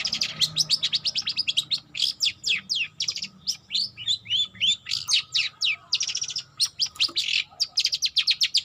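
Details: Juvenile long-tailed shrike practising its song, giving a nearly continuous stream of rapid, sharp chirped notes and scratchy buzzes, some grouped into quick clusters, with a low background hum.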